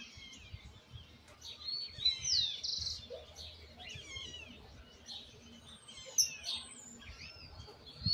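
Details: Young Argentine white goldfinch (jilguero blanco) still learning its misisipi-style song, with flaws left to correct: bright, quick twittering and slurred whistled phrases, some rising and falling sweeps, broken by short pauses over a low background hum.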